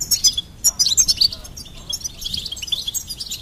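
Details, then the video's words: Bright, fast goldfinch twittering, loud at the start, then softer chattering notes running on to the end. "Goldfinch Singing and Song Compilation"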